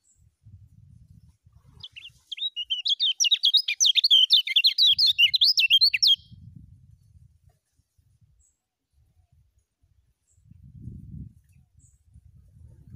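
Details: Fast ngejos song burst from a lemon-bellied white-eye, kept as a master for tutoring new birds: about four seconds of rapid, high jumbled twittering amid quiet stretches with low rumbling background noise.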